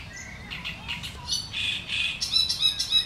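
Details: Sharp, chattering song of a great reed warbler among reeds: rasping, creaky notes in quick irregular bursts that grow louder toward the end, over faint low-pitched background noise.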